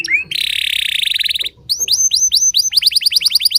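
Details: A Timbrado canary practising its song early in the morning, with a rising slur, a dense fast rattling roll, then a quick run of repeated upward-curving whistled notes.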